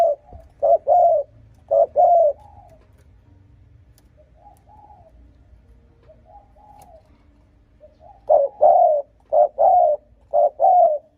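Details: Spotted dove cooing to provoke and lure rival males: loud phrases of three or four mellow, throaty coos, with a quieter pause of fainter coos in the middle, on an otherwise quiet background.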